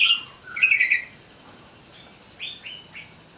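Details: Greater green leafbird singing while agitated: a bright whistled opening phrase followed by quieter, spaced, downslurred notes roughly every quarter second.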